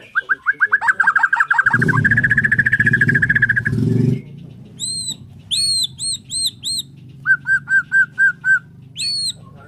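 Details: Bornean white-rumped shama in morning song gives a fast whistled trill that runs into an even rattle, then very high looping notes and a row of short pips. A low rumble sounds midway.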